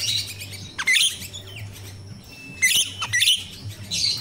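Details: Wild-sounding jalak rio-rio myna used as a training lure for untrained caged birds: loud grating bursts mixed with short whistles, repeated about every one and a half seconds, over a faint low hum.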